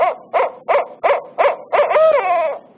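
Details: Upset barred owl's call at an intruder: a series of five short, hoarse barking hoots about every third of a second, ending in a longer wavering, whining note.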